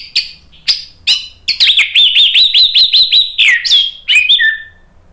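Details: Orange-headed thrush singing to provoke other birds into song: bright, varied phrases opening with separate sharp notes, then a fast run of repeated rising chirps around seven per second, ending in falling whistles; quiet background.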